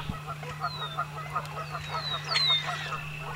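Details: American coots, wetland birds of the rail family, in a spring marsh; short nasal notes repeated rapidly, about four per second, while thin descending whistles of other birds pass overhead above a steady low hum.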